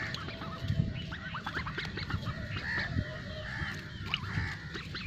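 A flock of Khaki Campbell ducks keeps up a busy chorus of overlapping nasal quacks and short rising squeaks, over a steady low rumble of background noise.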